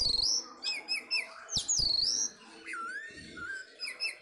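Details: Caged Orange-headed thrush ahead of a songbird contest giving loud clear whistled phrases, long wavering slurs high then dropping lower, mixed with short sharp notes.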